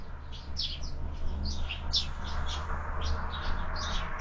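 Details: Several sparrows feeding at a feeder fixed to a window, breakfast time: a near-continuous run of quick high chirps and twitters over a constant low droning hum.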